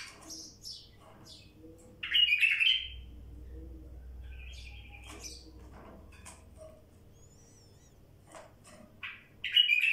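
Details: Singing wild bulbul: loud warbled bursts at the start and end, separated by varied chirps and a mellow whistled note, with a low rumble in the background.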